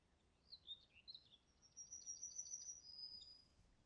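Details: Common kingfisher recorded in Niepołomice Forest, Poland, in July 2020: a few quick sharp chirps lead into a sustained, shrill, very high whistle lasting over a second, then a last short pip.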